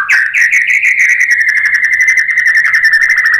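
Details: White-rumped shama (murai batu) lure song: one rapid, steady, rattling trill at an even mid-high pitch, continuous for about three seconds, loud and clear.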